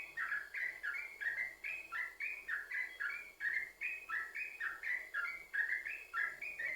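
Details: Yellow-vented bulbul (trucukan) singing, a recording used to coax other bulbuls to sing: lively bubbling phrases of short whistled notes that hop between two pitch levels, repeated continuously.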